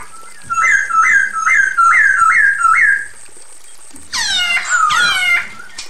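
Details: Female Chinese hwamei calling to the male. Five clear whistled notes, each sliding upward then holding, come in quick succession. After a short pause, a richer burst of harmonic, downward-sweeping notes follows, with a faint low hum underneath.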